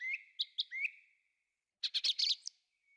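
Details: Thrush singing in a forest, giving a few sharp notes and rising whistled slurs, a pause, then a quick burst of harsh, chattering high notes.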